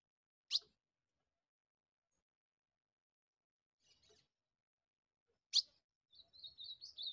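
An Ultramarine Grosbeak gives two sharp, high chips five seconds apart, then starts a quick, sweet warbled phrase; otherwise quiet.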